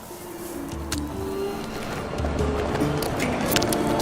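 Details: Background music with steady tones and low beats, plus faint clicks; no animal calls are heard.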